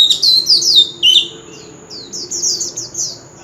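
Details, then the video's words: Male Oriental magpie-robin in continuous contest singing with a wild-type voice: a quick run of bright, slurred whistled notes, a brief pause, then a softer series of high, repeated chirping phrases. "Chòe Than Trống Hót Liên Hồi – Âm Thanh Chuẩn Giọng Rừng - Chích Chòe Than Hót Đấu"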